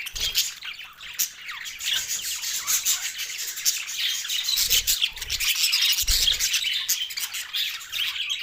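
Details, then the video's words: Several green Australian budgies, happy while eating, keep up fast, uneven twittering and squawks, with some low bumps and scuffs. "Green Charging Meal Australian Budgies happy Parrot voice"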